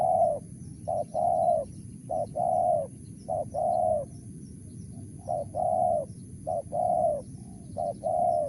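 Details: Long Mersik-style sequence from a wild spotted dove, about seven phrases, each a quick short coo leading into a longer mellow coo, delivered at a steady unhurried pace over low rumbling background noise.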